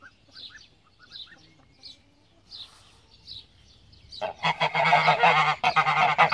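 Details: Small birds chirp in short, high repeated notes, then a Pomeranian goose, the domestic breed bred from the greylag, breaks in with loud, raspy honking that continues unbroken for the last two seconds.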